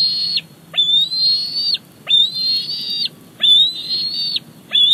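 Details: Young male bald eagle at Big Bear Lake, 28 July 2019, squeeing to get a fish his mother brings in: high, thin whistled squees that sweep up sharply then hold steady, about five in a row, roughly one per second.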